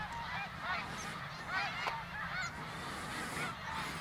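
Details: Flock of greater snow geese passing overhead on autumn migration near Ottawa, Canada, 2021. Constant overlapping barking honks from countless birds merge into a continuous clamor, with low rumble beneath.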